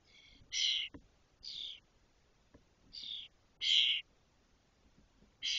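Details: Spotless starling nestlings, six fully feathered chicks in a cork oak nest in Doñana National Park, 2023, near fledging; short harsh rasping bursts repeated about every second, fairly steady, over a quiet background with faint ticks.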